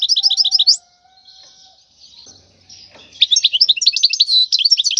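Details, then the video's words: Wild European goldfinch song played to teach young goldfinches: a fast run of tinkling notes, a quieter gap with a faint low hum, then lively high twittering chirps to the end. "تغريد الحسون البري لتدريب الفراخ"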